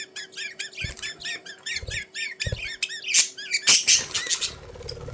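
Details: Indoor pet budgerigars chattering in a quick run of evenly spaced, arched chirps about five per second, then a louder harsh squawking burst, with soft thuds and rustling beneath.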